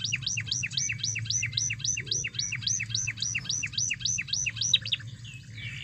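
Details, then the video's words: Canary song for provoking a silent canary to sing: a rapid, evenly repeated series of hooked two-part chirps, about four per second, kept up for over five seconds. "Pancingan Emosi Kenari Supaya Gacor"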